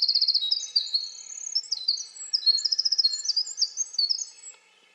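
A winter wren pours out a long, high, tumbling song of rapid trills and tinkling notes, with no break for over four seconds. A faint background hum is heard.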